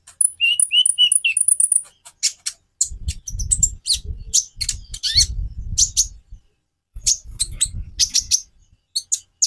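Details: Konin song: a short series of clear repeated whistles, then a dense, fast mix of high chirps and scratchy notes over a low rumbling background.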